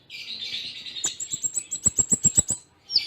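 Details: Konin song in full Cililin style: a sustained high buzzy twitter, then a rapid evenly spaced series of about ten sharp ticking clicks with thin high whistles, ending in a short chirp.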